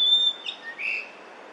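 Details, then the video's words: Yellow-billed grosbeak singing in early May 2024 in Korea: a clear steady whistle cut off, then a brief burred note and a lower whistled slur fading out. "밀화부리 울음소리 yellow-billed grosbeak song"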